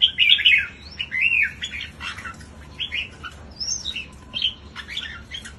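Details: Red-whiskered bulbul singing short, bright warbled phrases of quick rising and falling whistles, loudest at the start then repeated in brief bursts with small gaps, over a faint low hum.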